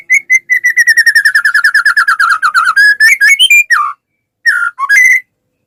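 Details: A white-rumped shama sings to coax other shamas into song, a long rapid trill of about thirty even notes gently falling in pitch, then varied slurred whistles, a short gap, and a final few bright phrases.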